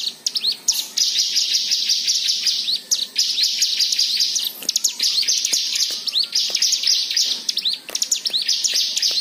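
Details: White-eye song meant to encourage other birds to sing, a continuous stream of rapid, high-pitched twittering and chirped notes, run together with few breaks and punctuated by sharp ticking clicks.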